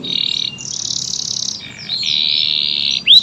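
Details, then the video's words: Canary song made of sustained, buzzy high rolling tones that switch pitch every second or so, closing with a short upward-sweeping whistle. "KENARI AF GACOR, durasi panjang tembakan rapet"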